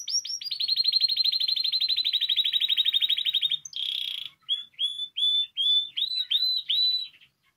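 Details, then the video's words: Singing canary for stimulating other canaries: a long fast trill of rapid repeated notes lasting over three seconds, a brief buzzy note, then slower rising whistled slurs spaced about half a second apart. "Canario Cantando. (Ideal para ESTIMULAR canto de canarios)"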